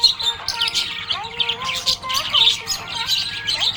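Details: Cheerful budgie chatter of rapid twittering chirps and scratchy warbles, rising and falling throughout, with faint wavering tonal notes lower underneath.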